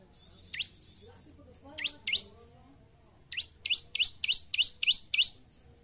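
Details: Gacor song of a bar-winged prinia, meant to train caged birds: one thin rising chirp, then a pair, then a fast run of eight identical upswept notes.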